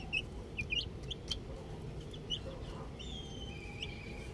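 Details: Little chicks playing with a ball give a few scattered high peeps early on, then mostly quiet background with a faint thin whistle.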